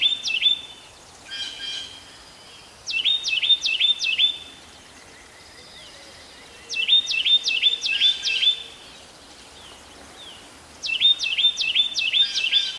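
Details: A Carolina wren sings at Pheasant Branch Conservancy: loud, rolling bursts of four or five rapid, ringing notes, repeated about every four seconds over a faint steady background hiss.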